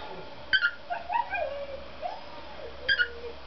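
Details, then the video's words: Pet cockatiel song: a pair of sharp chirps, then a run of soft wavering whistled notes rising and falling, closing with another pair of chirps. "Попугай Корелла песенки поет Parrot Sings"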